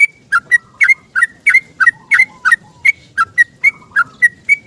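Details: Morning 'ropel' song of a yellow-vented bulbul calling for a companion, played as a lure to get stressed caged birds singing. Sharp bubbly two-part notes tumble out steadily, around fourteen in under five seconds, against quiet background murmur.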